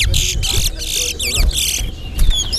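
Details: Competing towa towa, or chestnut-bellied seed finch, at Alligator Pond pours out repeated bursts of fast whistled notes with wavy looping phrases, then clear rising whistles, against low crowd murmur and rumble.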